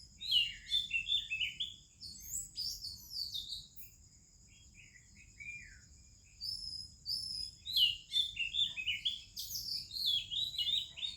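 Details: Morning song of an Oriental magpie-robin in India, other birds around: two bursts of fast, tumbling, descending whistled phrases separated by a few seconds of quiet, with a constant high insect-like drone running throughout.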